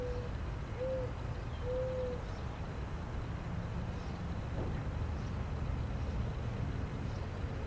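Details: A lone mourning dove gives three soft, low, hollow coos in the first two seconds, the middle note slurred upward, over a steady rumble of traffic.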